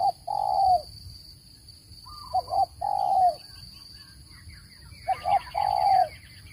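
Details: Spotted dove coo used as a trapping lure. The three-note phrase, a quick low double coo then a drawn-out falling note, repeats about every two and a half seconds, with a constant high whine and small birds chirping behind.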